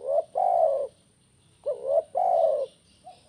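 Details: Spotted dove singing in the tekukur kuk 1 style, used to set other doves singing: two phrases, each a short upturned note then a long, loud, slightly wavering coo.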